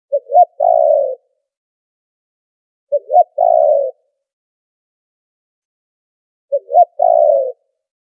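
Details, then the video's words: Three evenly spaced phrases from a spotted dove, used as a noise-filtered trapping lure: each opens with short rising coo notes, then one long, steady, slightly buzzy coo, repeated about every three seconds. "Tiếng chim cu gáy chuẩn kích mồi đã lọc tạp âm | file mp3 cu gáy kích bổi"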